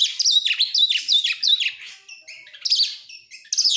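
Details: Oriental magpie-robin song meant as a lure for other songbirds: a fast run of looping whistled phrases, rising and dipping, followed by softer scratchy notes and renewed loud bursts.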